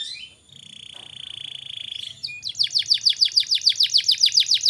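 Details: Singing canary meant to prompt young birds into full song: a long steady high whistled tone and a thin buzz, then a fast regular series of arched high notes, about a dozen.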